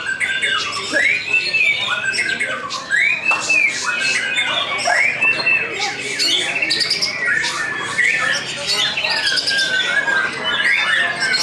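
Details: A contest-placing white-rumped shama, just after its moult, singing in a hanging cage: a dense, continuous stream of rich whistles, arching and sliding notes mixed with harsh chattering phrases, varied throughout.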